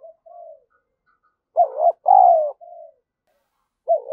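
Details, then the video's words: Spotted dove decoy calling to lure and stimulate others: a quiet coo, then a strong phrase of a bent rising note and a long descending coo, a soft tail note, and the next phrase beginning, all against silence. "chim cu gáy mồi gáy thúc và gù"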